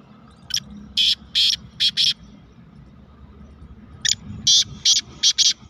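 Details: Rainy-season call of a black francolin (kala teetar), 31 May 2023: a rhythmic grating phrase of five short harsh notes, then a matching phrase about two seconds later, against a quiet murmur of background noise.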